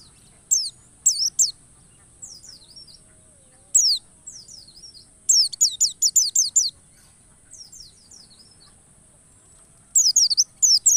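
A white-eye sings rapid bursts of very high, thin, sliding chirps in quick clusters, pausing between bursts; a faint steady hiss runs underneath.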